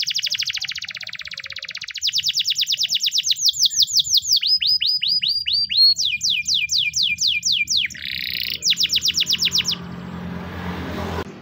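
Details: White Spanish Timbrado canary delivering a training song: loud continuous rolling trills changing tour every second or two, from dense buzzy rattles to ringing slurred notes and rapid clicks, then fading into hiss.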